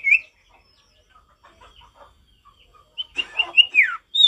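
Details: Wild male ashy tailorbird: a lone sharp note, faint scattered chirps, then a noisy, harsh burst mixed with bright whistles and a falling slur, and a final high whistle.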